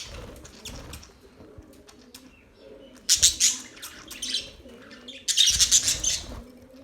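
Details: Budgerigars mostly quiet with faint ticks, broken by two loud bursts of fast, harsh high chirping, then a fainter run of squeaks between them.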